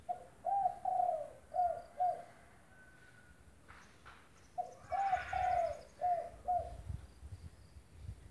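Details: Spotted dove cooing: two clear phrases of five low coos each, the middle notes longer and slurred, separated by a pause of about two seconds with a brief noise burst.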